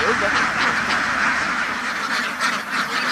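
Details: Crowded ducks on a farm, housed indoors, giving a constant babble of rough, overlapping quacks with brief louder bursts rising above the flock's steady, noisy hubbub.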